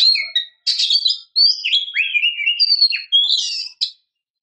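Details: Female Oriental magpie-robin calling to lure a male: a rapid run of bright whistled and buzzy notes, sweeping up and down, in short bursts over four seconds with brief gaps.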